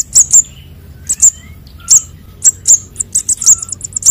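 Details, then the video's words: Konin and sogon sunbird young calling, played to lure birds: spaced high-pitched tsip notes in pairs, then a faster scatter of thin chirps, with faint soft whistles in the background. "suara anakan burung konin dan sogon untuk pikat"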